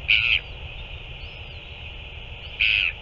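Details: Two separate, harsh, level-pitched calls roughly two and a half seconds apart, given by a northern royal albatross during a chick feeding on 9 February 2024; steady hiss fills the gaps.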